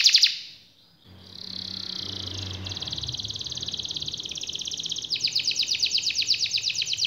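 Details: Rolling canary song of the 'ngerol panjang' style: a short bright burst, a pause, then long rapid trills over a steady background hiss, turning to a louder, coarser trill near the end.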